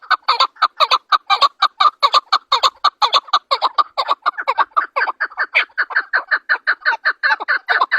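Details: A calling chukar partridge, Pakistan's national bird, gives a fast, steady run of harsh clucking chuk-chuk notes, roughly two per second, without pause.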